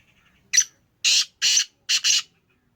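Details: Sindhi Gangas lineage Black Francolin, a speeder-type bird: one sharp harsh note, then two loud rasping bursts and a quick doubled burst, with quiet faint notes at the start.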